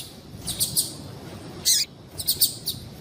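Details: High, thin chirps from a female yellow-bellied seedeater, used to stimulate males, come in short clusters: a pair early, one louder burst midway, then a few spaced chirps, with quiet gaps between.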